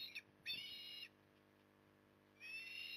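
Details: Osprey at Port Lincoln, Australia, recorded on an October 2020 evening during feeding: a brief high chip, then two strained, whistled, harmonic calls separated by a quiet gap, with faint low rumble beneath.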